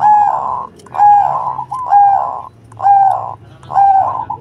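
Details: Zebra dove of the Cemani type, singing actively with a big, full voice: five rich, low, hollow coos, one roughly every second in a steady even rhythm, with a faint low hum in the background.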